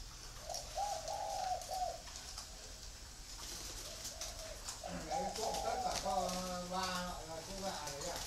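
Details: Free-range breeding spotted doves at a farm in Ba Vi, Hanoi, Vietnam: soft, mellow coo phrases, two in the first half, then a longer rolling coo with a low steady hum and possible voices behind it.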